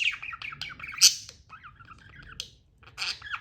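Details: Captive budgerigars twittering: a busy run of quick, rising and falling chirps and wavering warbles, broken by a loud buzzy squawk near the middle and another burst at the end.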